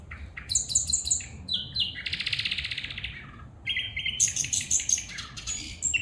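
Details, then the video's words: Female bulbul calling: bright, high chirps in quick runs, then a dense buzzy rasping note lasting about a second, followed by short clipped whistles and sharp high twitters. "بلبل پرندہ کی خوبصورت آواز میں فیمل بلبل بلا رہا ہے"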